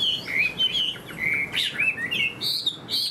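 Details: A caged spread-tail Chinese hwamei, a good fighter with an eagle-wing display, sings clear, sweet whistled phrases. Long slurred notes alternate with higher, sharper accents and short gaps between them.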